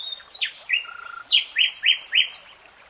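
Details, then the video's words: Common nightingale singing a few varied opening notes, then five loud, down-slurred whistled notes repeated evenly in quick succession. "BEST NIGHTINGALE SONG 3 Hours REALTIME Nightingale Singing"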